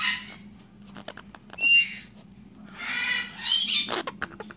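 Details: Pet parrot, described as aggressive and disliking phones, lets out harsh squawks: a shrill, harmonic screech near the middle, then two broad, raspy bursts a second apart, amid soft indoor room noise and a person talking nearby.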